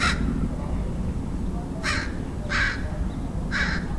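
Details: Harsh caws from a crow in San Diego, California, USA, 27 February 2009: four rough, broadband calls spread unevenly over four seconds against low-pitched background rumble.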